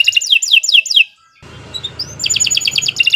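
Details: Canary singing a long master song: four loud descending swept notes, a short gap with low background hum, then a rising whistle and quick rattling trill.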